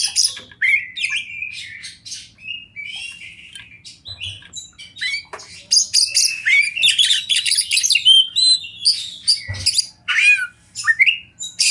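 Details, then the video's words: Long, varied song of a wild champion Oriental magpie-robin: loud whistled slurs, scratchy chatter and harsh buzzy notes tumbling in quick succession, with squeaky upward sweeps and two dull low thuds, against faint rumble. "Masteran Kacer Juara Alam Liar"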